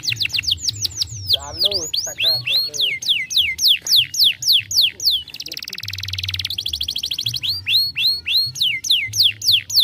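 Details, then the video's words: Varied song of a young canary: repeated falling whistles, a low rolling gurgle, a harsh buzzy burst, then more tours of swooping notes. "estimula rapidamente o som de um jovem canário"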